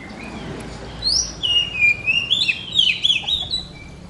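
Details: Oriental magpie-robin of the blorok type, a kept songbird in full song while pushing its tail, gives a loud, varied warble of rapid whistled notes rising and falling in pitch. The phrases run continuously for about two and a half seconds.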